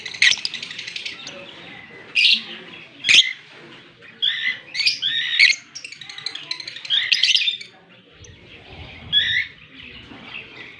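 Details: Fischer's lovebird with a blue masked partner, kissing in Larkana, Sindh on October 20, 2023; dense run of piercing chirps and chattering squeaks in clusters, then a brief quieter gap before more high twittering.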